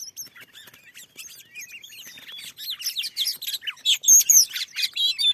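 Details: Wild Oriental magpie-robin, described as very fierce, in a newly cleared field responding to a decoy bird. It gives a loud, varied song of sweet whistles, rising and falling slurs and harsh chattering notes that grows louder and denser toward the end.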